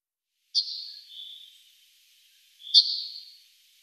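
Yellowhammer singing two high, buzzy phrases about two seconds apart. Each starts with a sharp note and trails into a drawn-out, slightly lower wheeze. The background is quiet.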